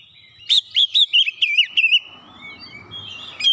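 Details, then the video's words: Oriental magpie-robin song used to lure and provoke rival birds: a quick sequence of about eight wavering whistled notes, then a thin sustained tone over soft background rustle and hum. "SEKALI PANCING KACER LAWAN LANGSUNG NGOTOT NAIK EMOSI"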